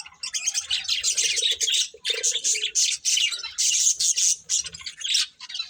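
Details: Budgies of a breeding pair in steady chatter, scratchy high chirps and squawks running together, with some lower nasal notes early on.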